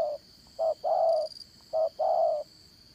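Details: Spotted dove used as a lure for trapping, Đồng Son voice, dán cổ method; two phrases each made of a short soft coo and a longer wavering low coo, with a high continuous hum underneath.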